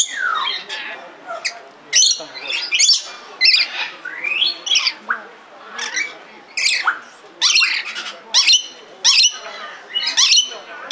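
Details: Red lory (Eos rubra) at Belgrade Zoo, Serbia, recorded in 2022: harsh, shrill screeching squawks in frequent bursts of rising and falling notes, with chattering and faint human voices in the background.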